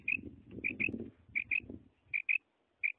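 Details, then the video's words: A female quail gives short, high notes, often in quick pairs, repeated every second or so, with a low rumble of background noise in the first two seconds. "female batair | madi batair ki awaz| مادی بٹیر کی پانچ آوازیں"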